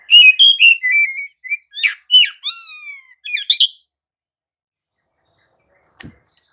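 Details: Oriental magpie-robin (kacer) in lively 'ngerol' rolling song, used as a lure to provoke other magpie-robins into singing: a rapid run of clear whistled notes, chirps and downward sweeps for about 3.5 seconds, then quiet with one sharp click.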